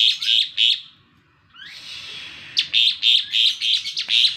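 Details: An Asian pied starling calls in the morning with rapid series of loud, grating high-pitched notes, about four per second, interrupted by a rising slurred whistle and a sustained thin tone.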